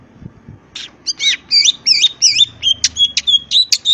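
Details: Greater green leafbird singing constantly with filler phrases in ngentrok style, crest raised: quick looping high twittering notes followed by sharp clipped whistles in rapid succession.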